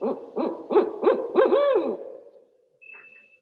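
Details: A Barred Owl gives its classic 'who cooks for you' call: a run of five deep, rhythmic hoots, the last drawn out and sliding down, followed by a faint thin tone.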